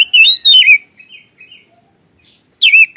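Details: Oriental magpie-robin in gacor ngeplong lure song: bright, loud, wavering whistles, a pause with faint soft notes, then another sharp whistled burst.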